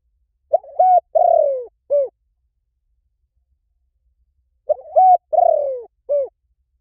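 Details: Spotted dove call used as a decoy lure for any forest: two four-part cooing phrases, a short coo, a held rising note, a long sliding purred coo, then a brief final coo, separated by about three seconds of silence.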